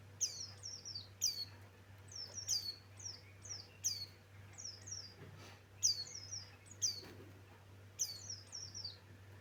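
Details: Male white-eye, Buxtoni form, pouring out high, thin whistled phrases. Each is a rapid cluster of sharply descending notes, repeated roughly every second, above a quiet background with a low hum.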